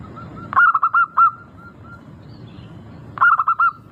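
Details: Zebra dove of a local strain, recorded as a lure to start birds singing: faint soft coos, then two bursts of quick, bubbling coo notes about two and a half seconds apart.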